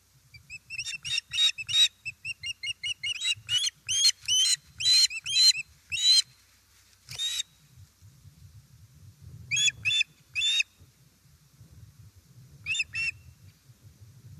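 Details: At an Estonian osprey nest on 1 September 2019, during a fish delivery, a long excited series of shrill chirped whistles repeats rapidly for six seconds, then breaks into scattered pairs of yelps over low background rumble.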